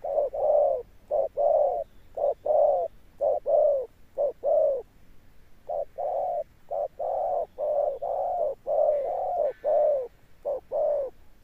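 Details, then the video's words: Tame decoy spotted dove (cọp) giving a deep thunder-tone coo, persistent and sustained. Low hollow coo notes come in short-long pairs, about one per second, with brief pauses between phrases. "Cọp Đẹp Như Tranh, Gù Âm Sấm_ Nước Tiền Bổi kèm dậm nghe chỉ có phê. Gù Hậu Bền Bỉ"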